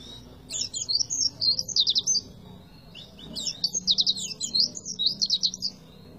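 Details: Tembakan-style song of an Oriental white-eye, two long bright phrases of fast, high chirps ending in rattling trills, with a short silent gap between them and almost no background noise.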